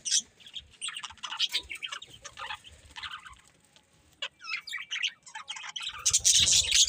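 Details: Budgies chirping with a quick run of high, scratchy twitters about three or four a second, a brief lull, then a louder burst of shrill squeaky chatter.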